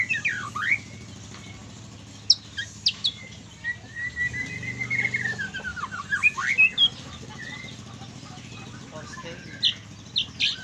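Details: White-rumped shama song in the trotol style with kriwikan: scattered sharp whistles and a long wavering whistled phrase midway, fainter and sparser than full song, with a constant low hum beneath.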